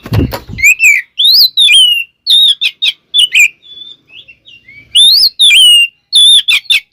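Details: Singing oriental magpie-robin, used as a lure to get other magpie-robins singing: loud, separate whistled notes that swoop up and down, with short gaps, a low thump at the start and a quiet, twittering middle section.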